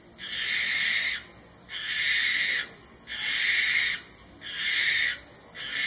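A barn owl gives harsh, hissing screeches, each about a second long, repeated about every second and a half with brief pauses between.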